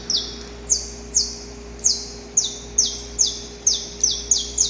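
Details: Wild-recorded saffron finch giving slow, evenly spaced high notes that each slide sharply downward, roughly two per second, with a quiet background hum.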